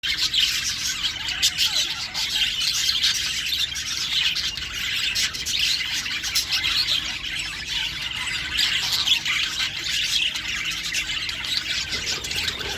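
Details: Show budgerigars at a farm chatter continuously with busy, scratchy warbles and sharp chirps.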